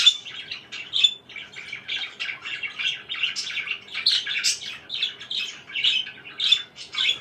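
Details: Parakeet chattering in a continuous, even flow of short raspy chirps and soft squawks, steady in loudness from start to finish.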